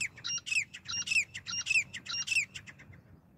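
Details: Female grey francolin call used to lure birds for hunting: loud, harsh, multi-note phrases repeated about every half second, each with a sharp upward-swept ending, steady and strong before fading out near the end.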